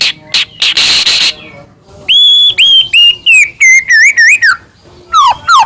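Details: White-rumped shama (murai batu) song used as a lure to make birds sing: harsh noisy bursts first, then clear whistled notes, some level, some wavering, and two falling-rising slurs at the end.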